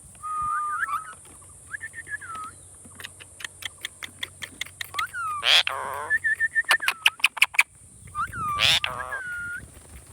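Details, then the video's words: Indian ringneck parakeet, a talking pet, repeating slurred whistled phrases broken by quick runs of sharp clicks and two harsh screeches, while a steady high whine plays throughout. "Funny Talking Ringneck Parrot"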